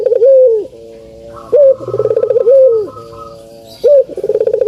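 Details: Cooing of a spotted dove (puter), played to stimulate lazy birds to sing: loud, low, drawn-out coos repeating roughly every one and a half seconds, each starting with a brief rising note, with a pulsing tone between them.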